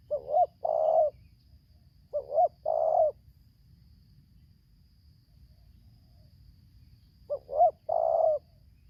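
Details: Wild tekukur, or spotted dove, lured by a decoy bird in Lampung, Indonesia, singing in tarik akar selang nguku style: three low coo phrases, each a brief two-part note followed by a drawn-out croon, spaced by pauses of one to four seconds.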